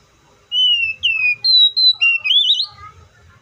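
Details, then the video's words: Oriental magpie-robin song: a loud, clear phrase of long whistled notes, first a slightly falling slur, then a higher steady whistle, ending in a rising, warbling flourish. "THE BIRD COPSYCHUS SAUCARIS VOICES MUCH LONG LIKE IN NATURE!"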